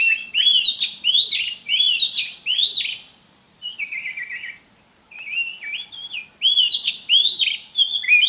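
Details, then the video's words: Magpie-robin song used to help other magpie-robins learn: loud repeated rising whistled phrases with harsh overtones, a middle section of softer descending warbles, then the loud phrases again. "Pancingan Suara Kacer (Cocok) buat kacer belajar Kicau!!"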